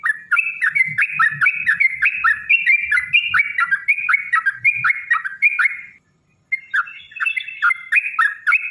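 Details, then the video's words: Sooty-headed bulbul, described as a female calling a male, in a long 'ropel' song used to draw out other bulbuls: fluid warbled whistles tumbling up and down without break, a half-second gap, then the bubbling resumes. "trucukan gacor TARUNG ROPEL PANJANG pancingan trucukan agar bunyi jadikan burung trucuk gacor EMOSI"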